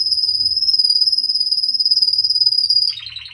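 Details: Russian canary in song, holding a steady, fast-pulsing high trill for about three seconds, then switching to a lower, buzzy, rattling phrase at the end; faint low hum in the background.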